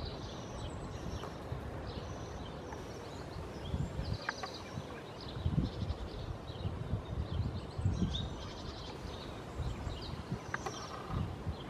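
Thin, high, sibilant trills from Bohemian waxwings, repeated every second or two over a steady low rumble of wind or distant traffic.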